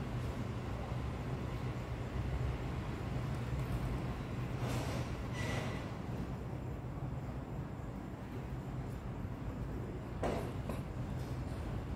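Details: Steady low vehicle or train rumble fills the recording, with a few brief bursts of broadband noise and no animal voice.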